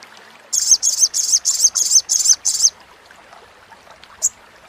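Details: Crimson sunbird, sogok ontong, in crecetan chatter used as a lure for birds that stop singing: seven evenly spaced buzzy, high-pitched bursts in quick succession, then silence and one brief final note.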